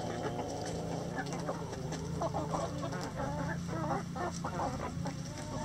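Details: A flock of chickens clucking in a coop, with dense, overlapping short calls over a loud low droning hum.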